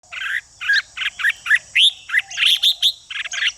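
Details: Red-whiskered bulbul song used to stimulate fighting song in other bulbuls: short bursts of chattery, warbling notes, some with bright rising whistles, given about twice a second over a steady high hiss.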